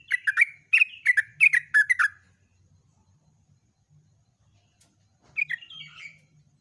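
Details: Dawn song of a yellow-vented bulbul, 'gacor ropel' style: a two-second run of fast, bubbling, clicking notes, a long silence, then a softer descending warbled phrase over a faint low hum.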